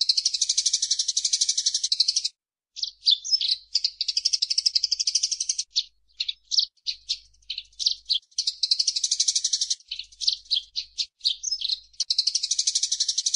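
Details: A Eurasian tree sparrow gives a long gacor chattering performance as a master recording for songbirds: extended rapid harsh chirp trains alternating with bursts of short, varied chip notes over thirteen seconds.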